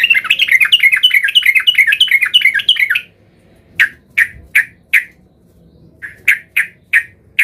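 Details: Yellow-vented bulbul, emotional and seeking a rival, used as a lure for others. Opens with three seconds of rapid bubbly warbling, then silence, then single bright chirps in twos and fours.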